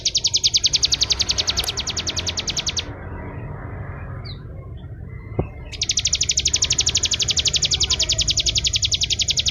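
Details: Ciblek kristal, the bar-winged prinia, delivering ngebreen song: a dense high chipping trill for about three seconds, a quiet gap with one faint note and a click, then the rapid pulsed trill resuming to the end.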